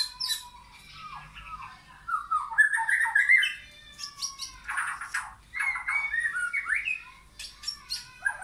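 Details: Backyard forest with wild and caged white-rumped shamas; a varied, fast song of whistled slurs, rising and falling warbles and crisp high ticks, delivered in rich bursts over several seconds.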